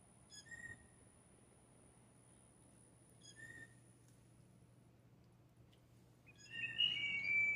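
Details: Several blue jays competing for one female: two faint short whistled notes a few seconds apart, then a louder, complex ringing whistle that slides and wavers at the end.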